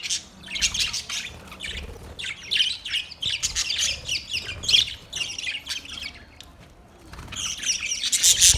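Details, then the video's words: Budgerigars chirping in a busy chorus of short, squawky, warbled notes, bursts coming in clusters with brief quieter gaps. "Budgies chirping sound"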